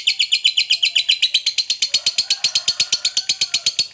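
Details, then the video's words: Fighter lovebird chattering in a long ngekek meant to make other lovebirds respond: quick, regular, piercing notes about four per second, with a soft lower whistle drawn out underneath. "Suara Burung Lovebird FIGHTER Ngekek Panjang PANDAI Pancing EMOSI, Apapun Lovebirdmu PASTI NYAUT"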